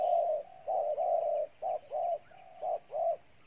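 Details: Wild-caught spotted dove from Ninh Thuận, Vietnam, cooing intensely: low, hollow, mellow coos in a repeated pattern, a long note followed by shorter paired ones, roughly one per second.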